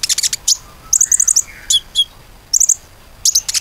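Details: Common iora song played to coax other birds into singing: rapid trills of high chirps, a brief lower whistled slur, then more quick high chirp bursts.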